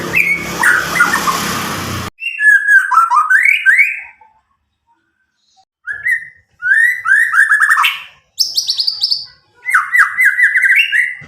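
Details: White-rumped shama from Medan, about nine months old, past its speckled juvenile stage, untutored; loud clear whistled and trilled phrases after a noisy opening, with short silent gaps.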